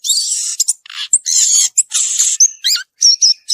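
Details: Violaceous euphonia singing in the wild, a dense stream of very high, harsh, buzzy bursts broken by thin whistled notes and quick looping slurs, varied and hurried, with nothing else audible.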